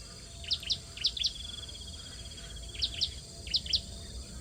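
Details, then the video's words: At the nest, hungry young bar-winged prinias beg during feeding: short pairs of sharp, very high chirps repeated in three groups, separated by brief quiet gaps, over a soft low rumble. "Burung Ciblek Meloloh Anak yang kelaparan di Sarang"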